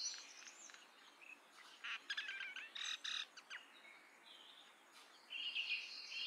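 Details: Indian or common myna giving clustered, loud, clipped harsh notes near the middle, with quieter warbling chatter before and after and steady background hiss.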